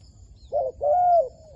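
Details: Close wild dove coo from a trapping session luring doves: a short soft note, pause, then a long smooth arching coo fading at the end, over faint low hum.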